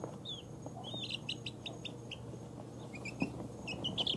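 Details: Two-week-old chicks of mixed breeds (ISA Brown, Barred Rock, Easter Egger, Speckled Sussex, Australorp) falling asleep; a quick string of high chirps early on, then sparse rising peeps over a low hum.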